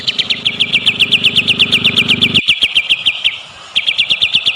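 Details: Energetic shama lure song for triggering another bird to sing: a fast, even string of sharp chipping notes repeated about four times a second, briefly pausing before resuming, with low rumbling noise at the start.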